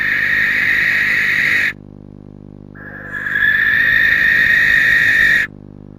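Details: Barn owl pair at night, 2:18 am on 20 January, with the male possibly showing early mating interest in the female. Two long, harsh, breathy hissing screeches, the first about 1.7 seconds and the second about 2.5 seconds, separated by a short silence.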